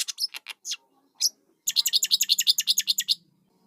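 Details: Scratchy single chirps from starling chicks, then a fast rattling run of about fifteen harsh, raspy notes over a faint low hum.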